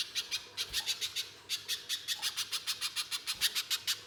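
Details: Spiderhunter (pijantung pisang) in harsh rapid style for luring birds to sing: a ringing series of sharp high notes, roughly four per second, with a slight gap partway through.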